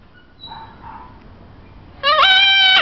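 A Tanimbar corella gives one loud, harsh, nasal screech lasting under a second, after a couple of faint, soft notes.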